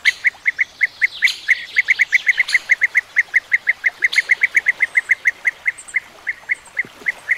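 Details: European bee-eaters calling: a steady stream of short, rolling, liquid notes repeated several times per second from more than one bird, over faint background hiss.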